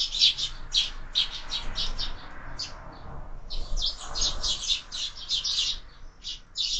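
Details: Sparrows squabbling at a feeder fixed to a window: quick repeated chirps in clusters, pausing briefly mid-way, over a low background hum.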